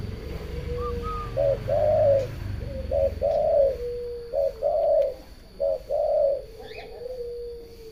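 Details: Spotted dove giving a run of low cooing phrases, short notes paired with longer throaty coos and repeated roughly every second, ending in a soft drawn-out tone; faint higher bird notes in the background.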